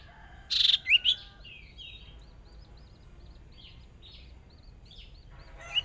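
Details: Hwamei decoy bird in a fierce singing contest, newly out for its first small-cage practice: a harsh burst and loud twisting whistles, then soft repeated chirps and short notes.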